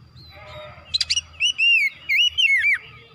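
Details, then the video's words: Oriental magpie-robin song played to rouse a kacer into eager singing, starting with faint chatter and a quick harsh rattle, then clear loud whistles rising and falling. "TERAPI MERANGSANG KACER CEPAT EMOSI GACOR BONGKAR ISIAN"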